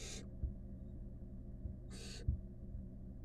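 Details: Wild barn owl nestlings, five together in a nest box, make two harsh breathy hisses nearly two seconds apart; soft knocks and thumps from movement and a low hum are also heard.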